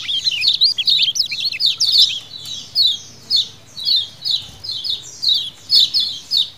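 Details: A group of lemon-bellied white-eyes, wild-style colony calling used as a lure: a rapid tangle of high chirps at first, then evenly spaced, falling 'ciak' notes roughly twice a second.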